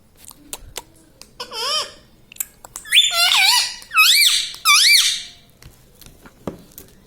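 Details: Talking pet parrot indoors, said to say 'mummy', 'papa' and 'radhe radhe'; one soft wavering word, then three loud squeaky rising-falling syllables about a second apart, like repeated mimicked speech.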